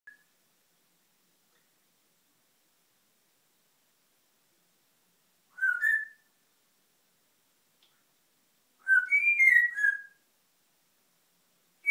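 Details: Pet African grey parrot indoors whistling mimicked notes: short rising-and-falling whistles near mid pitch, one brief phrase then a longer wavering phrase after a pause, in a quiet room.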